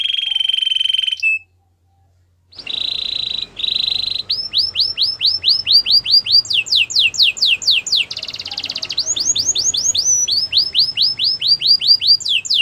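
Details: Belgian canary singing a training song: steady whistled tones, a brief pause, then long runs of rapid upward-curving sweeps, a short buzzy burst, and more repeated sweeping phrases at a quick, even pace.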